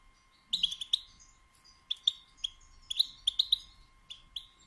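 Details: Female European goldfinch batbata, a call used to get males singing and mating: rapid clusters of short bright chirps, several per second, with pauses, over a faint steady hum.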